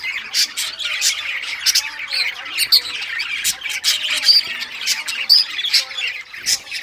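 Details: Budgies of rare colours playing with toys, June 18, 2023: steady overlapping warbled chatter with frequent sharp tick-like clicks and occasional short, pure whistles.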